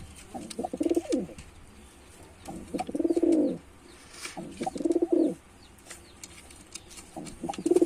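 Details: Male white pigeon in performance: rhythmic low coos in four rolling bursts about two seconds apart, each a throbbing swell, with soft rustles between.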